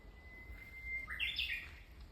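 Japanese bush warbler giving its song: a long, steady whistled note held about a second, then a quick, higher, tumbling flourish of notes, with faint low background rumble.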